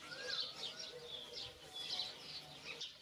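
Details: Great spotted cuckoo, a brood parasite of the magpie, giving its characteristic call during courtship in an urban area of Zamora, Spain: harsh, rasping bursts repeated in quick succession over a steady background hiss.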